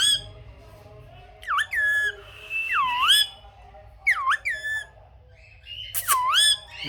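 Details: Indoor pet parrot uttering a few separate swooping, nasal calls with rich overtones, plus one long level whistled tone, the bursts spaced by quiet pauses of about a second.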